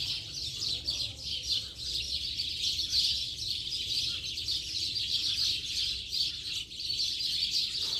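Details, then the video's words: An eight-second stretch of a house sparrow flock at late afternoon: incessant, high, jumbled chirping from many birds, swelling and easing slightly in loudness. "Bando de Pardais Cantando Baderna de Final de Tarde!!!"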